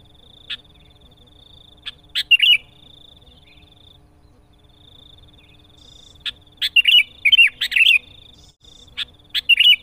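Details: Sooty-headed bulbul; song; challenging rivals; used to lure other bulbuls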